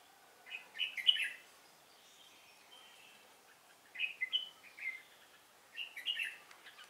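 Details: Red-whiskered bulbul decoy bird used for trapping, singing to fight, recorded 10 December 2016; three short bright warbled phrases with quick rising and falling notes, separated by pauses of roughly three seconds, over faint background hiss.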